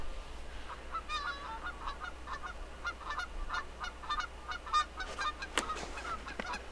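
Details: Canada geese in a field behind a home on 1 April 2014, calling to distant geese before taking off. They honk and squawk in rapid, overlapping harsh, nasal two-part calls, several per second, over a low rumble.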